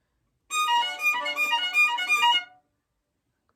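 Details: A short bowed-string phrase, bright and harmonic, runs for about two seconds before silence, with no animal voice present.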